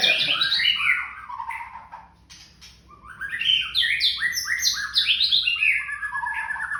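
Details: Young white-rumped shama in a thin 'trakk' style: bright descending whistled phrase strings, a brief lull, then a long fast cascade of stepped, rich whistles and chips, fairly loud over quiet background.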